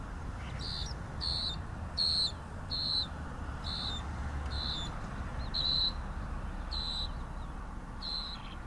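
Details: Iberian grey shrike (Lanius meridionalis) song: short, high, slightly harsh notes repeated about every half second to second, over a steady low rumble of wind or distant traffic.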